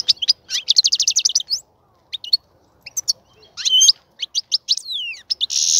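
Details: Caged European goldfinch, readied for breeding, singing a rapid buzzy trill, twittering notes, a long descending slur and a closing rasping buzz.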